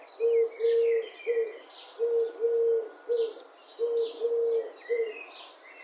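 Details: Turtle doves cooing in Wittlich, 2017: three clusters of low purring notes, short, long, then short, spaced about a second apart, with soft songbird chirps above.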